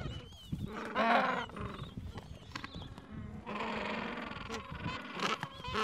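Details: Breeding colony of gentoo penguins, Falkland Islands, mild afternoon, adults caring for nests and chicks aged two to three weeks; loud rasping brays rise in two main bursts around one and four seconds, amid continuous background colony chatter.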